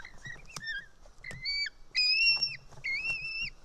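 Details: White-tailed eagle chick at a nest camera in Estonia, 4 July 2018 around 1:10 pm, screaming while a parent arrives with fish; short, thin whistled screams with a downward end, given in scattered bursts, with faint rustling.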